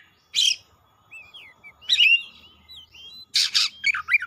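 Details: Oriental magpie-robin singing energetically and showing off its learned song fill-ins. Separate bursts: a buzzy rasping note, a sliding whistled phrase with thin upturned whistles, then harsh scratchy notes and quick twisting whistles. Faint low hum in the background.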